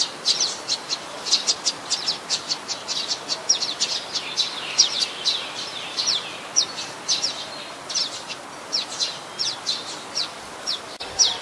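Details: Adult common tailorbird (Orthotomus sutorius), a common resident, at Ubon Ratchathani, Thailand, 27 January 2021: loud, sharp, high chirps repeated rapidly at about three notes a second, over faint steady hiss.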